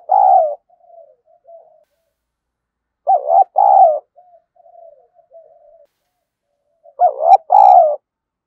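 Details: Spotted dove decoy bird cooing to provoke a fight. Three loud, low, mellow double-noted coos, each about four seconds apart and followed by soft, wavering trailing notes. The surroundings are silent.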